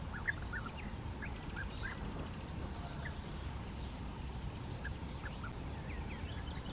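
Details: European bee-eater calls on the bank of the Bečva river, where a bee-eater came to pick up sand grit: short, rolling, mid-pitched 'prruip' notes, scattered irregularly, over a steady low rumble of wind or distant traffic.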